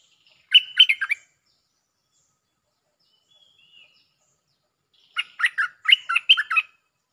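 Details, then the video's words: Bulbul 'Jao Bank' lure song with a doubled phrase: a quick four-note warble, a long quiet gap with a faint soft note, then a longer run of about seven bright, bouncing whistles. "เสียงนกดอกแตงEp.153 ฟังกันยาวๆเพลงจ้าวแบงค์ มีเบิ้ล เพลงเพราะน่าฟังSuara pikat merbah lekir gacor"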